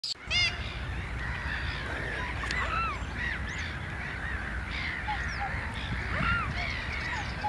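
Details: Baby black swans give thin, whistled peeps, short arched notes overlapping over a low rumble.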